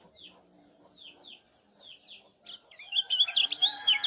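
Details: Lombok kecial kuning lure calls: faint, spaced downslurred chirps at first, then a loud burst of rapid, high twittering 'ciak' notes, used to excite other birds.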